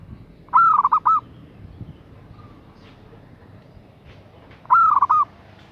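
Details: Zebra dove female calling to a male, two stuttering coo phrases about four seconds apart, each a high held note, rapid tremolo beats and a final note, with quiet background noise between.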